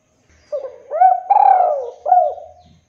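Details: Spotted dove, or tekukur, giving a lure call meant to draw rivals into calling back: one soft cooing phrase of short rising notes around a longer, falling central coo, in a quiet setting.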